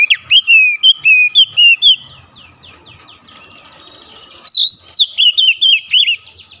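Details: Oriental magpie-robin singing hard with beak wide open: a run of crisp repeated whistles, a softer scratchy stretch, then another burst of bright slurred notes.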